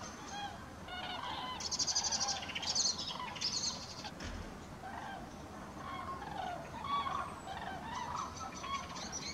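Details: Common crane (Grus grus) flight calls from a flock passing over Halle (Westfalen) on 5 March 2018: many overlapping rolling, trumpeting calls in loose succession over a steady wash of wind or distant traffic noise.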